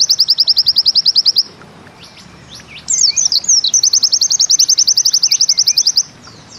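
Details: A pleci (white-eye) delivers a rapid high trill, goes quiet, then bursts into sharp slurred twitters leading into a longer, even 'ziperrr' trill, bustomi style.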